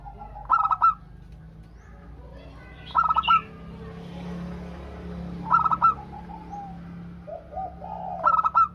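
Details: Actively singing local zebra dove from Indonesia, played to draw replies from other doves: four bursts of quick pulsed cooing about every two and a half seconds, with soft low coos and a steady background hum.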